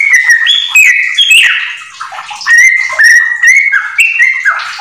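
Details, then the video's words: Energetic yellow-vented bulbul song mixed with white-rumped shama phrases, for tutoring home-kept bulbuls; a burst of varied high whistles and a brief quieter stretch, then steady, clear sustained notes in short repeated phrases. "trucukan gacor ISIAN MURAI TERBAIK untuk masteran"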